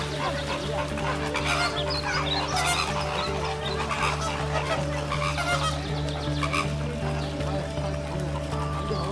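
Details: A flock of lesser flamingos (Phoeniconaias minor) at the bird lake in Kowloon Park, Hong Kong, keeps up a dense, overlapping chatter of nasal, goose-like honks and grunts over a steady low hum.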